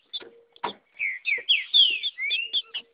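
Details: Female green-winged saltator in the wild, singing like a male: a quick run of clear whistled notes slurring up and down, with a few short clicks and a faint low steady tone.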